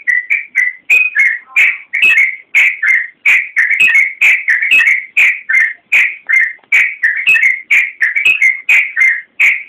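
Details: Yellow-vented bulbul in full lively song, meant as a master for training kept birds: chattering sequence of clear whistled syllables, some sharp and rising, others falling, packed closely together in a continuous bubbling flow.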